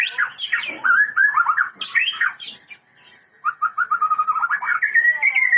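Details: White-rumped shama of the Medan type from a breeding setting, singing gacor: loud rich whistled phrases, then a run of rapid repeated notes ending in a rising whistle.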